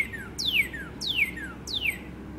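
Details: A red northern cardinal singing in late morning as spring approaches gives clear, sharply falling whistles, repeated about every two-thirds of a second, each slurring from high to lower pitch over a faint background hum.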